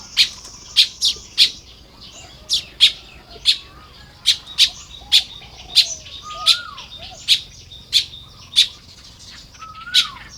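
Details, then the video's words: Morning nest building by Baya weavers, Lopburi, Thailand, early May: loud, crisp high chips in quick irregular runs, soft buzzy chatter, and a few lower falling whistles. "เสียงนกกระจาบทำรัง ยามเช้า"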